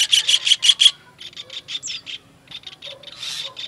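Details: Kingfisher from a songbird training master recording, opening with five loud, buzzy notes, followed by softer repeated rasping notes in uneven groups.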